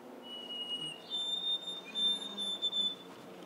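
White-throated Sparrow song: clear, pure whistles, a lower opening note followed by higher, drawn-out steady tones, played back into a quiet room.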